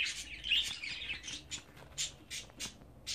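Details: Short, sharp chirps from 24-day-old budgerigar chicks, about two per second, some scratchy and rising. There are brief gaps between the calls.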